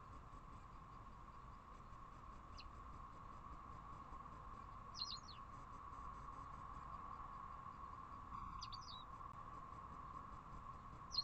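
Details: In April at nest-building time, a male white wagtail near a balcony's outdoor air-conditioner unit gives sharp, high chirping calls every few seconds over a steady hum, apparently calling to his mate.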